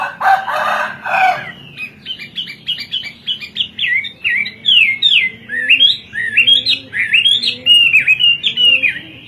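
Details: Hwamei, native to China, in full 'kowor kowor' song. A short harsh, noisy opening gives way to a rapid run of bright whistled notes that swoop up and down in quick succession, repeated phrase after phrase.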